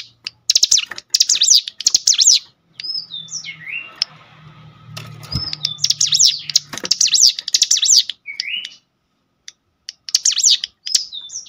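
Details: Cinereous tit stirred to sing by a lure recording: bursts of rapid, high, buzzy zigzag notes alternating with short upslurred whistles, with sharp clicking sounds scattered throughout and a low hum in the middle.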